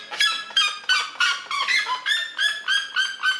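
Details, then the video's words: Red-legged seriema giving its territorial call in defence of territory: loud, harsh yelping notes repeated about three times a second, each a rich harmonic bark falling slightly in pitch, building into a steady rhythmic series. "Red-legged seriema territorial vocalisation"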